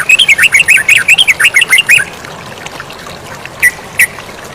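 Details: Yellow-vented bulbul singing over flowing water: a quick, bubbly sequence of around fifteen rising and falling chirps for two seconds. Steady watery hiss follows, with two lone sharp notes near the end.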